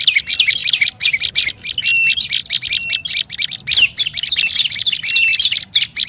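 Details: Olive-backed tailorbird in a noisy lure recording: dense, scratchy high chips and twitters pour out continuously, with a few short steady whistles between them.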